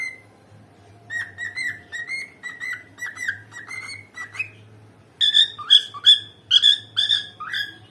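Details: A happy cockatiel (Nymphicus hollandicus) whistles a run of clear, bright notes, rising and falling in quick repeated phrases.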